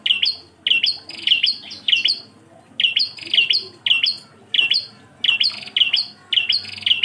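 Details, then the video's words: Single bar-winged prinia singing, recorded as a training song for other songbirds; short, sharp, high chirping notes repeated about twice a second in clusters of three or four, separated by brief gaps. "MASTERAN PRENJAK KLAWU ENGKEL"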